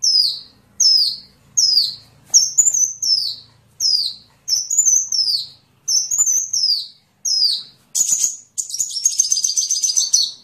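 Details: Sunbird song as training material for songbirds: a steady series of high down-slurred notes roughly every three quarters of a second, some doubled, finishing with a long buzzy, rattling trill.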